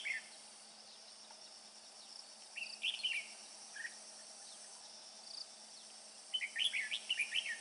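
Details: Male red-whiskered bulbul, described as a devoted father carrying food, sings short bursts of bright, warbled notes in two groups with a long pause between them, over a steady high insect-like hum.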